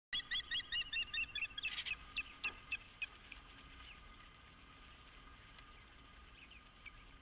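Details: Osprey at Dunrovin Ranch on 11 April 2016, calling during mating: a rapid burst of sharp, high chirps for about two seconds, then fading to a few scattered notes over steady faint background hiss.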